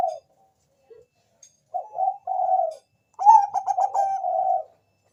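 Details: Zebra dove of the Bangkok type singing a lure song to make other doves answer: a few brief soft coos, two held notes, then a loud rapid pulsed trill flowing into a long steady coo.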